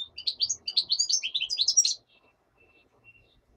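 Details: European goldfinch (black-headed form) in daytime singing, with a common nightingale said to sing in the background: a quick, liquid twittering run of high chirps and trills lasting about two seconds, then near silence.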